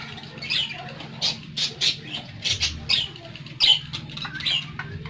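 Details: Pet parakeets tweeting: short, high, squeaky chirps come in separate bursts about every half second, some sharp and scratchy, over a steady low hum.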